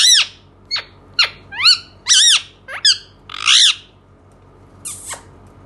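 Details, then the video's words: Pet Indian ringneck parakeet indoors making a varied run of harsh squawks, sharp clicks and a raspy drawn-out screech, irregularly spaced, ending with a softer noisy burst after a pause. "cute parrot talking indian ringneck"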